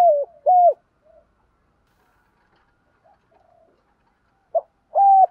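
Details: Spotted dove used as a decoy bird, cooing in the morning to call the flock: short hooting notes, one after another, with a long pause in the middle, then a brief note and a final coo. No other sounds.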